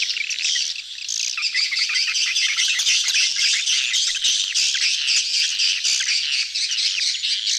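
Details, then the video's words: Mating crowd of swiftlets, "betompok" style lure sound: thick, shrill twittering chorus with squawky notes and fast clicking, about four pulses a second, continuous from start to end. "suara tarik walet ramai,kerumunan kawin / birahi "BETOMPOK""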